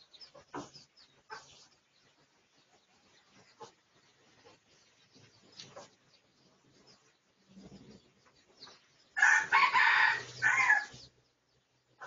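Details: Red junglefowl of the Pradu (dark red) colour form, research recording from 18 August 2023: scattered faint calls, then a loud, harsh, broad crow of about two seconds near the end, rising and breaking into a second burst.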